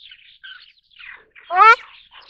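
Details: A Ruddy Shelduck (Tadorna ferruginea) gives one loud, nasal, slightly rising honk, preceded by soft, high chirps from small birds.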